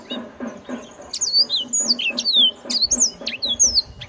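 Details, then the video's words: Loud, characteristic song of a yellow-fronted canary, a fast run of bright whistled slurs and sharp chirps after a quieter start, over a soft rhythmic low pulsing background. "suara khas burung mozambik yang nyaring"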